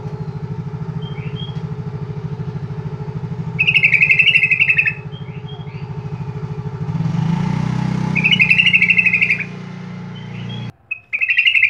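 Yellow-vented bulbul giving short, bubbling, chattery phrases about a second long, repeated every few seconds over a steady low engine hum.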